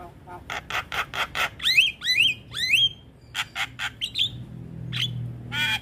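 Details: Singing Javan myna meant to make other mynas respond quickly: a series of harsh rasping notes, then three upward-swooping whistles, more scratchy chatter, and a final whistled note.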